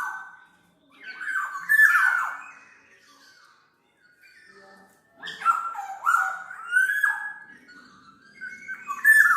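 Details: Black-naped oriole song for training and luring birds: a loud cluster of fluty and nasal down-slurred notes, a pause of several seconds, then a rapid run of whistled and scratchy notes.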